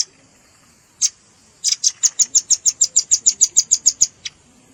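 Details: One sharp note, a pause, then a steady run of about fifteen thin, high chips, roughly three per second, from a red-billed rambatan lure mix with juvenile calls.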